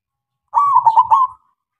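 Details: Local perkutut (zebra dove) singing loudly to provoke quiet doves into replying: one brief, soft, purring coo sequence of a long opening note, stuttered middle beats and a lingering end, with faint low thumps beneath.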